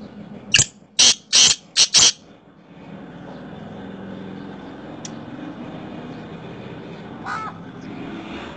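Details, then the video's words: Black francolin giving one harsh, grating phrase of five loud scratchy notes in about one and a half seconds, the last two run close together, followed by quiet background hiss and a faint distant note. "kala teetar ki boli"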